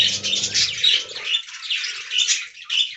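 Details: Several budgerigars in an aviary, described as talking, pour out busy raspy warbles and squeaky chirps, with a brief low rumble at the start.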